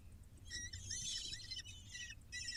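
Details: Falcon chicks, six of them, being fed on a live bird cam: a dense chorus of shrill, squeaky cheeps that swells in the middle, breaks off briefly, then resumes, with faint low background hum.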